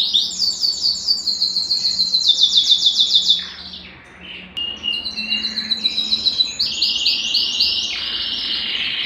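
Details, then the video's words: Singing Belgian canary, its song meant to warm up males and bring hens into breeding condition: pulsed high trills descending in steps, a short pause, then renewed rapid rolling phrases. "Canto Para Esquentar Canário Belga e Foguear as Fêmeas"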